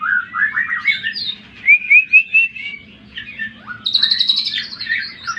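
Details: Greater green leafbird lure song meant to excite rival birds: warbled phrases, then three clear rising whistles, followed by a buzzy high rattle and quick chirps.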